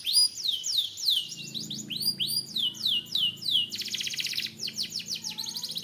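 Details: Canary performing a loud, varied song: a series of arched whistled swoops followed by rapid rattling trills, then more swooping phrases, with a soft low hum underneath.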